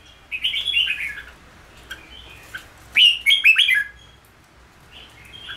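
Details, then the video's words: Red-whiskered bulbul in ché song training for cafe play; a soft warbled run, then a loud burst of quick descending whistled notes and faint notes trailing off. "Luyện chào mào ché/kích chào mào nhanh ra giọng/Luyện chào mào chơi cafe"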